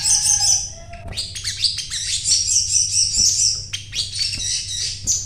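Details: Actively singing ('gacor') crimson sunbird, a bought bird: dense, continuous high-pitched warbling of quick chirps and trills, briefly pausing near the start and end, with a faint low hum beneath.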